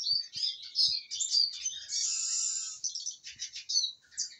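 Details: Contented, well-fed Eurasian siskin singing a high twittering warble, broken in the middle by a long drawn-out buzzy wheeze, then quick chattering trills and short chirps, with faint low taps behind it.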